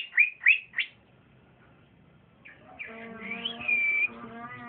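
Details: Young male trotolan cucak ijo (green leafbird), reported to sing strongly and bravely when paired. Three loud rising whistled notes, a pause, then a lower buzzy harmonic tone under a wavering high whistle.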